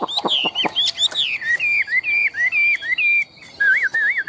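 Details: Chinese hwamei, a tame, big-bodied bird noted for strong competition singing, delivers rapid wavering whistles, clear looping notes repeated about twice a second after a burst of sharp downward sweeps, bright and loud throughout.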